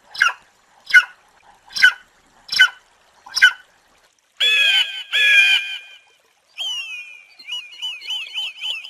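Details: Eagle screaming: five short harsh chattering notes, then two drawn-out, piercing, harmonic screams, followed by a high wavering, trilling cry.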